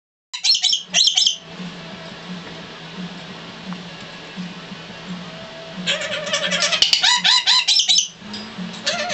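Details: Abi, a female black lory adopted at five and staying in her cage, gives harsh, screechy squawks in quick bursts at the start and again near the end, over a steady low indoor hum.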